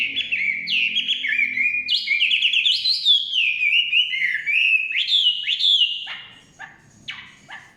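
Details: Chinese hwamei in full forest song, a fast, continuous stream of slurred whistles and trills climbing and dipping in pitch, fading to a few scattered short notes at the end.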